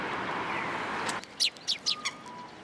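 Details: Sparrows coming to a pillar to be fed at a Tenmangu shrine on 7 January 2023: after a stretch of broad rushing noise, four sharp, high chirps follow in quick succession. A thin steady tone sounds faintly underneath.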